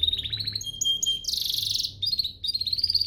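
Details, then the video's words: Canary master song for training: pulsed whistles, a thin steady tone, then a dense high buzzy trill, followed by rapid rolling notes. "Masteran Mewah Spesial agar burung kenari cepat GACOR"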